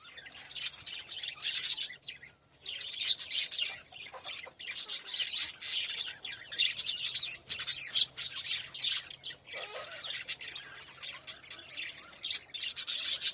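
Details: A family of budgerigars keeps up a busy stream of high, scratchy chirps and warbles with brief squawks.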